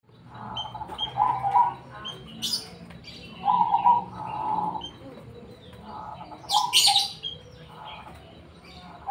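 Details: Zebra dove of the black Cemani type, singing vigorously: low cooing, burbling phrases come in short bursts every second or two, separated by pauses, with sharp high chirps from other birds between them.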